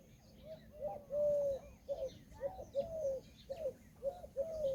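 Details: Peahen, an Indian peafowl, giving a run of short, mid-pitched honking notes, some drawn out, roughly two every second, with faint small-bird chirps behind.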